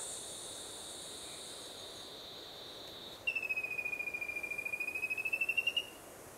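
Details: Rufous-capped antthrush, recorded 3 March 2016, gives a rapid run of about two dozen clear whistled notes over two and a half seconds, dipping slightly then rising at the end; a high insect drone precedes it.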